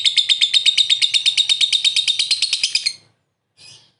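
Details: Lovebird ngekek, the long chattering style used to lure others into answering: a fast, even, buzzy trill of about eight pulses a second for nearly three seconds, then a brief soft chirp after a pause.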